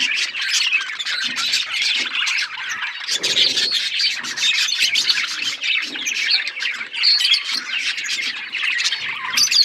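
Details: A flock of budgies chirping and talking: fast, overlapping twittering and squeaky warbles, with soft low murmurs beneath around the third and fourth seconds.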